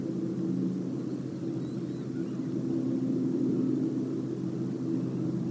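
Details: Low, steady outdoor rumble like distant engines or aircraft at sunset, with faint droning hum.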